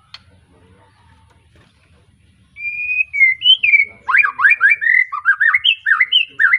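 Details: White-rumped shama, a young bird just out of its spotted juvenile plumage, from a Tangerang bloodline kept in Pemalang; after near silence, loud whistled phrases begin, then a fast run of rising and falling slurred notes.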